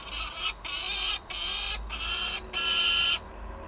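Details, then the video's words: Peregrine falcon chick at a nest in Wałbrzych, Poland, on 9 August 2022, begging its mother for prey: four long harsh, grating wails with brief gaps between them. "Gutek skarży się mamie "gdzie mój łup""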